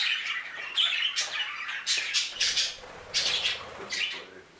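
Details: Budgerigars in an aviary give separate harsh squawks and short buzzy chirps in bursts about every half second, with brief quieter gaps and faint low rustling between calls.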